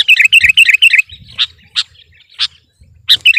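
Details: Sooty-headed bulbul in full voice, singing to press down on rival birds: a quick burst of five sharp chirped notes in the first second, then scattered single bright chips and a final short flourish.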